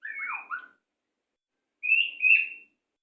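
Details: White-rumped shama song for training caged birds: a swooping, falling warbled phrase, a long silence, then a bright rising whistled phrase with two accented notes.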